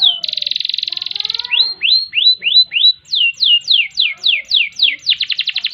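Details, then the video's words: Canary song used as a master tutor: a long buzzy rattling trill, then rising whistled slurs, then falling sweeps, ending in a quick chattering roll, sung continuously and loudly with a clean background. "Kenari Gacor Panjang Ngerek Ngerol Nembak Mantap Buat Masteran dan Pancingan | Bird Singing"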